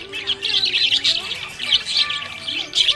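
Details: Budgerigar in a happy mood, chattering continuously in high, scratchy warbles and quick tweets, with soft tonal music faintly beneath.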